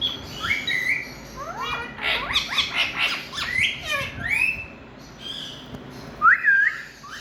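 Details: Indian ringneck parakeet calling loudly: scratchy clustered squawks give way to a few clear upward-sweeping whistled notes and a final twisting screech, with quieter pauses between.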